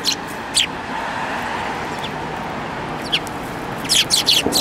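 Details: Sparrows, among them one with a yellow beak, on 29 January 2018, giving sparse single chirps, then a fast cluster of four or five sharp chirps at the end, against constant broadband background noise.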